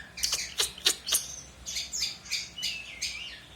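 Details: Long-tailed shrike in lively song, suitable for training other birds: four sharp, loud chip notes in quick succession, followed by rising and falling whistled and squeaky phrases.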